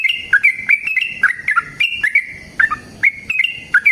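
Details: Yellow-vented bulbul in vigorous song with a long rapid trill, used as a lure to make other bulbuls answer; rapid, liquid, jerky notes run on almost without pause.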